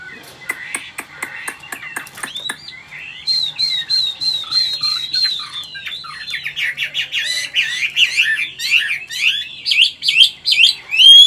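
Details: Captive Chinese hwamei, a wild-caught older bird from Vietnam with a forest voice, opens with sharp evenly spaced clicking ticks, then breaks into a long fast run of varied whistles that grows louder and more intense.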